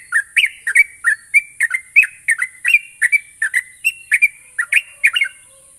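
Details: Lure track of a sooty-headed bulbul (trucuk) to spur rapid singing: an even stream of rich, slurred whistled notes, roughly three per second, each with a short bubbly ending, against faint background hiss.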